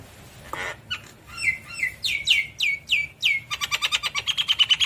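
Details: Javan myna in energetic song with head bobbing: a harsh rasp, then loud downslurred whistled notes about every half second, ending in a fast rattling run of short buzzy chirps.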